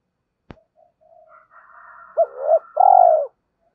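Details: Spotted dove lure call: after a sharp click and faint low murmurs, two short rising-falling coos, then a longer trilled coo closing the phrase.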